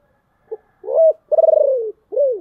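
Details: Deep, rough-voiced decoy spotted dove calling to lure wild doves: a clipped opening note, then a swelling coo, a long buzzy throbbing coo dropping in pitch, and a closing arched coo.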